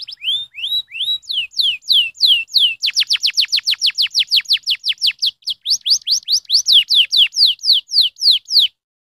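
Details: Stimulating canary song opens with loud downslurred whistles, speeds into a rapid, tight run of repeated notes, then slows to bright descending phrases until it stops abruptly.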